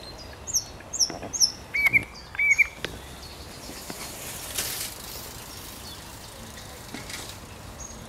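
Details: Song of a thrush nightingale on 8 May 2022: a few high piping notes, then two short whistled doubled phrases a second apart, followed by soft background twittering and occasional clicks.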